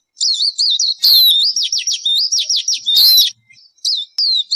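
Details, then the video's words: Bird calling nonstop with a fast, varied warble of high looping whistles and sharp downward-swept notes, phrases running together with hardly a pause. "Suab noog ncwb qua dib tuaj zoo tiag tiag."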